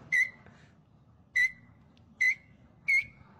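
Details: Parrot in Maranhão, Brazil, imitating songs of other birds; four sharp, bright whistled notes, each quickly dropping and trailing off, spaced irregularly about a second apart against a quiet background.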